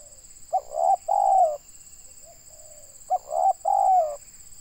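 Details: Local spotted dove from Indonesia used in bird luring, giving two loud cooing phrases about two and a half seconds apart, each a brief note then two drawn-out hoarse coos, over a steady high electronic-like whine.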